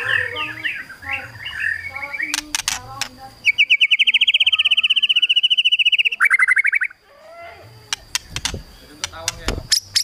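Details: White-rumped shama kretekan used to stir rivals into singing: a few varied whistles, then a long, fast, dry rattle of crackling pulses lasting about three seconds, a buzzy burst, and scattered clicks.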